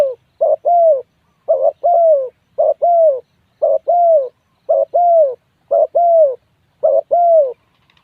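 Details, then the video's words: Steady series of seven low, mellow coo pairs from a spotted dove, each a quick note then a longer downward-sloping hoot, about one pair per second against a silent background. "tiếng chim cu gáy gu"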